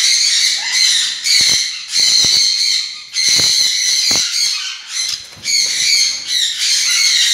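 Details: Loud, raspy screeches from a black-capped parakeet, rough and noisy, coming in runs of about one to two seconds separated by short pauses, with faint knocks in the background.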